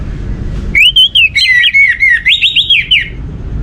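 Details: Orange-headed thrush song, played to stimulate other birds to sing: a rich, varied run of whistled phrases around mid-high pitch, with sliding notes and quick trills, lasting about two and a half seconds.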